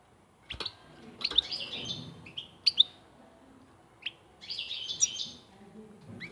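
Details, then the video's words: European goldfinch singing in bright, high twittering bursts: clusters of quick chirps and short trills come in uneven phrases about a second long, separated by brief quiet gaps, with a faint low background hum. "طائر الحسون صوت ولا اروع"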